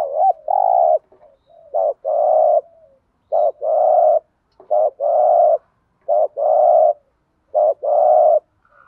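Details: Lure call of a decoy spotted dove used to draw in wild doves. Six two-part coos, each a short wavering note then a long buzzy hum, repeated roughly every one and a half seconds.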